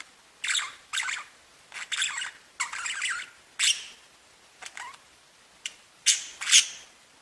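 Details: Singing, tweeting budgerigars kept as pets, heard as separate short bursts of scratchy chattering chirps about half a second each, with gaps between, closing with two sharper squawks.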